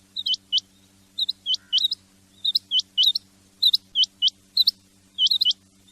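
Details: Rain quail male and female sounds for hunting: sharp, high metallic whit-whit notes in quick pairs and triplets, bursts repeated about every second, over a steady low electrical hum.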